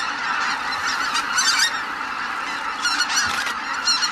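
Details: Large flock of greater white-fronted geese calling as they leave the roost, a continuous chorus of high yelping honks with louder bursts of clear, laughing calls standing out near the middle and end.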